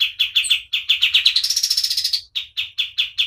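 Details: Energetic white-eye song kept as a tutor recording: sharp chipped notes in quick succession speed into a dense, high buzzy trill, then return to evenly spaced chips.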